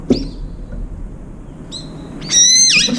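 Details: Brown-eared bulbul at a window feeder where a few birds come to eat; thin, high whistled notes, then a loud, drawn-out, rasping squeal that bends downward at the end.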